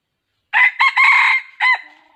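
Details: Red junglefowl used as a decoy bird for trapping in the forest, giving a loud harsh crow in four bursts, a short note, two longer ones, then a clipped final note.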